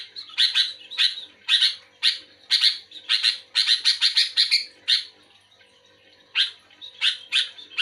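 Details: Sooty-headed bulbul in full voice, responding to another bulbul. Dense clusters of scratchy chirps pour out, then a pause of over a second, and the harsh notes resume.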